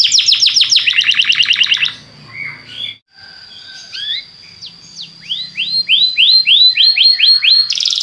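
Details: Belgian canary, played to make other canaries sing: a fast trill, quiet scattered twitters with a thin sustained whistle, then a run of loud looping downward sweeps repeated several times a second.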